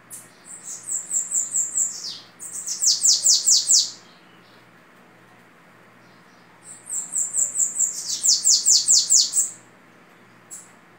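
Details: Bananaquit (babaçu type) delivering its Belgian-style song, called orderly: two long high-pitched phrases, each opening with thin rapid ticks and swelling into a run of loud, hissing downslurred notes, separated by a few seconds of quiet.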